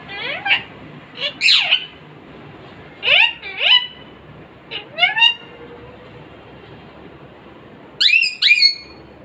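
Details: A 15-year-old pet parrot voices loud, ringing, harmonic calls, mostly paired, each sweeping sharply down then up in pitch, in bursts a second or two apart with quiet pauses between.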